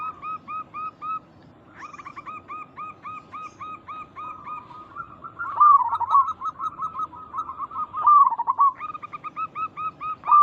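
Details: Local zebra doves cooing as a lure: long series of brief rising notes from overlapping birds, building into loud rolling warbled coos, then returning to repeated notes.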